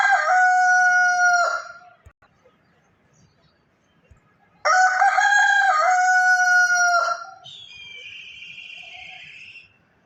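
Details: Morning rooster crowing: a long, loud harmonic crow of about one and a half seconds, a quiet pause, then a second long crow that trails off into a fainter, higher drawn-out call.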